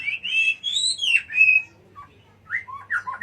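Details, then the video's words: Murai batu, or white-rumped shama, in Jatiuwung pours out long, high, smoothly gliding whistles, then after a brief gap adds short descending and rising slurs. "Suara murai batu"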